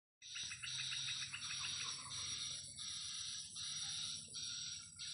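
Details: Swiftlets flying and playing above a swiftlet house in the afternoon. Rapid series of short, clicking chirps, then drawn-out buzzy twitters repeating about once a second, with a steady high electronic-sounding whine and a low hum behind.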